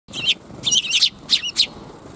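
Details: Several sparrows coming to be fed, recorded 5 December 2021 on the way out: bright, high chirps in quick bursts, three clusters with short gaps, each chirp sharp and slightly buzzy, over a faint low background rumble.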